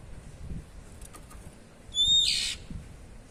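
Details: Ngeplong cier call of an Oriental magpie-robin (kacer): a short clear high whistle snapping into a brief hissing rasp, heard once after faint clicks, against low background hum.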